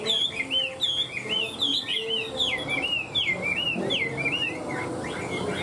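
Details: A caged Hwamei sings fluid, looping whistles in a steady stream, with phrases curling up and down roughly once a second; described as singing very well and fighting well.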